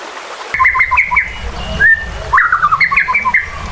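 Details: White-rumped shama giving agitated song to goad other birds to fight and sing, with flowing water behind; rapid chattering bursts of clipped notes around a single rising whistle.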